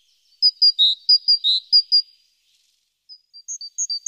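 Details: Morning at the nest box on 14 April, a great tit recorded by webcam: a run of repeated high-then-low whistled pairs lasting about two seconds, silence, then fainter, higher thin notes rising toward the end.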